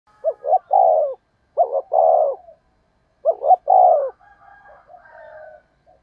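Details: Decoy spotted dove calling to lure wild doves: three cooing phrases, each two short hooted notes then a longer, lower, throaty coo, repeated about every 1.5 seconds. Faint softer coos trail off at the end.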